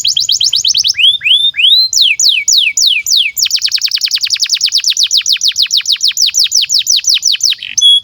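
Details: Domestic canary singing a master song for young birds, opening with fast falling chirps, then slower descending swoops, then a long even run of rapid sharp chirps, about five per second, ending on a whistle.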